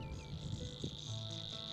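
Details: In spring in a vast flooded reedbed, a Savi's Warbler reels out a steady, rapid, cricket-like trill buzzing on one even pitch throughout, over a low rumble of wind or distant background noise.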